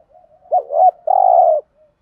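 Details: Decoy spotted dove in the 'thúc gù' urging coo style, 'giọng thổ' voice: a single phrase of two quick warbled hoots followed by one long, even, low coo, in clean quiet surroundings.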